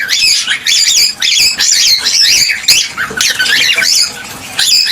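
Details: A loud chorus of cockatiels, recorded to stimulate mating and egg production, pours out zigzagging shrill whistles and scratchy squawks in bursts separated by short gaps.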